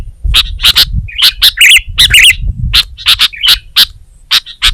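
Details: Energetic Sooty-headed bulbul, known in Indonesia as kutilang, in full song for songbird training: a quick series of crisp chips with two bubbly warbled flourishes in the middle, faint low background rumble.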